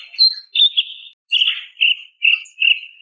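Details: Female greater green leafbird calling a male: a high chirp, then a string of buzzy mid-pitched rattling notes repeated about twice per second.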